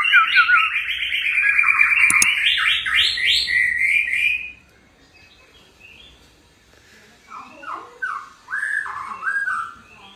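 A white-rumped shama pours out rich, rapid whistled phrases for several seconds, then pauses before softer, warbling notes resume.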